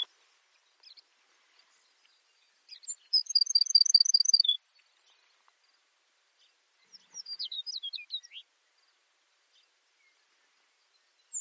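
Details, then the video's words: A Baird's sparrow sings a high, thin phrase of about eight quick, evenly spaced notes, then a second, more jumbled tinkling phrase a few seconds later, otherwise quiet. "Baird's Sparrow Bird Sound"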